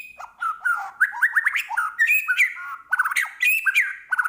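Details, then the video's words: White-rumped shama from Medan, singing at full strength with varied material: a rapid, jumbled run of slurred whistles, chatters and squeaky notes, constantly changing pitch, with no pauses. "Murai Batu Medan Gacor Full Isian"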